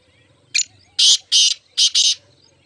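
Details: Rasping black francolin call: a brief sharp opening note followed by two thick grating notes and a closing pair, the whole phrase lasting under two seconds against faint low background noise.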